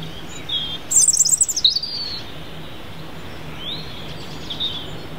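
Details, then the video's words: European robin singing at Holywell Dene: high, thin phrases, a quick run of sparkling trills, then a few drawn-out whistles, over a faint low hum. "Robin Singing"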